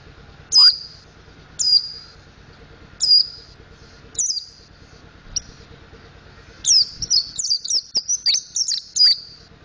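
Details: Mountain white-eye learning ngriwik and ngeplong song: several high, clipped descending notes at intervals, then a faster run of thin twittering phrases near the end, over low background hum.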